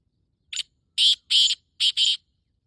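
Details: Black francolin male, breeding call, 14 May 2024 at 5:15: a short creaky opening note, then paired harsh chattering syllables twice, with nothing else audible.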